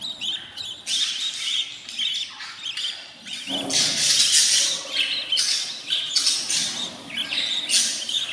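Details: Baby budgies at day 14 in a new nest make loud, harsh, hissing rasps in overlapping bursts of about a second, with thin chirps between them, nearly continuous.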